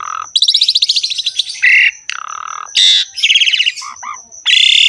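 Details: Asian pied starling in vigorous varied song: rapid rattling trills, harsh buzzy blocks, low whistled notes and a long raspy final phrase, a steady thin high tone audible throughout.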